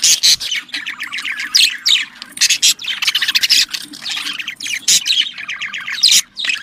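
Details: Pet budgerigars, a flock-living domestic parrot native to Australia, giving a mating sound used to stimulate breeding: dense, fast chirping warble with rapid squeaky notes and short buzzy bursts, almost continuous, with a faint low hum beneath.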